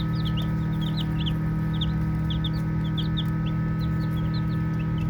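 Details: Baby chicks playing, a group giving soft high peeps: short downslurred chirps overlapping in quick succession throughout, with a steady low droning hum underneath.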